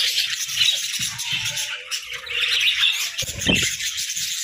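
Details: Several pet budgerigars kept together in an indoor hut, chattering continuously with dense high warbles, chirps and scratchy notes, plus a few low thumps and knocks.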